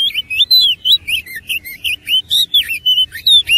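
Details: Oriental magpie-robin singing persistently in fighting mode with a rich mimicked fill-in: rapid, loud whistled phrases of rising and falling slurs and bright chirps, delivered in short bursts roughly every quarter second.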